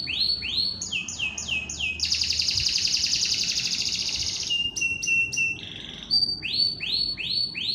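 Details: Canary in gacoran competition-training song: runs of whistled notes curving downward, a dense buzzy trill lasting over two seconds, a stretch of short even notes, then more swooping whistles.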